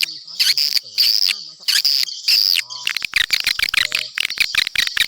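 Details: Swiftlet attraction call: long harsh buzzy rasps in the first half, then a quick series of short sharp clicks and chirps.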